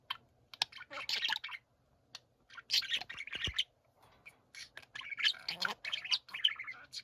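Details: Pet budgerigars chattering together in bursts of scratchy warbling and chirps, separated by quieter pauses, with a low background hum.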